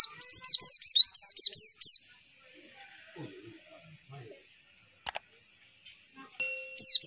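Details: Javan white-eye (pleci) lure song used to make other white-eyes answer: a two-second burst of rapid, high, swooping downslurred notes, then near silence with brief clicks before the song restarts.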